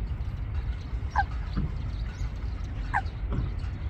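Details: Eurasian coot pair building a nest among water plants at Wangsong Lake; two short, sharp, slightly falling calls about two seconds apart over a steady low rumble with faint ticking sounds.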